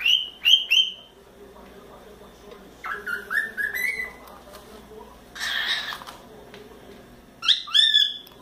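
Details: Four-month-old pet cockatiel having fun on its playground swing: three quick high chirps, a rising sequence of whistled notes, a burst of rustling noise, then two more sharp chirping whistles.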